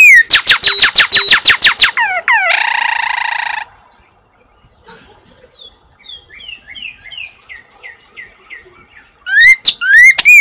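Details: Female Northern cardinal singing while sitting in her nest on 17 April 2022, eggs due to hatch soon. She gives a fast run of steep down-slurred whistles, a buzzy rasping note, a soft falling series of short chips, then loud rising slurred whistles.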